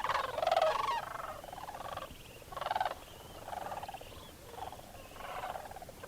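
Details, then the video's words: Sandhill cranes, a large wintering flock, waking and flying out at sunrise from an overnight roost on a frozen wetland pond at Bosque del Apache National Wildlife Refuge; overlapping rolling, rattling bugles in bursts, loudest at the start. "Sandhill Cranes at Dawn"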